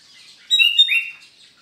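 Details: Sooty-headed bulbul in full morning song at Sukanegeri, OKU Timur, on a Sunday: one short, bright phrase of two or three liquid whistled notes, the last one swelling and slightly falling, over soft background hiss.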